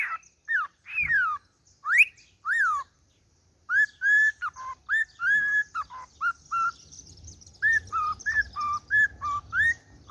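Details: Harlequin cockatiel sings a lively run of clear whistled notes, rising and falling, with sharp chirps between.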